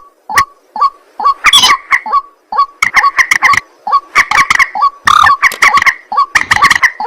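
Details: Nighttime white-breasted waterhen chorus: short upslurred whistled notes repeating about twice per second, building into harsh, grunting, honking phrases.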